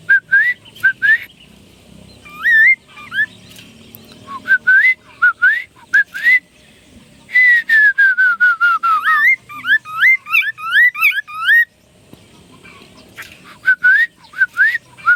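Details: Chinese hwamei singing: rising whistled slurs in pairs, pauses, then a rapid descending run of notes leading into high looping, warbled whistles, ending with more paired upslurs.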